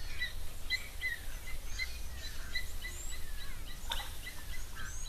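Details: A distant pearl-spotted owlet, a small owl active by day and at dusk and dawn, calls at an African waterhole on 30 May 2026: a string of short, high whistled notes, some slurred up or down, over a steady low outdoor rumble.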